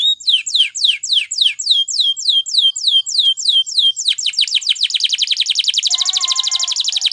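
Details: Spanish Timbrado canary song used to train canaries to sing: a series of clear, downward-sweeping whistled notes repeated about three times a second, then a fast high rolling trill joined by a lower tremolo near the end.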